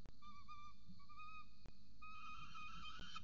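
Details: At a nest-camera site in Orange, Australia, a peregrine falcon chick with its mother gives long, wailing, harmonic calls in three drawn-out stretches, broken by brief clicks, over a constant background hum.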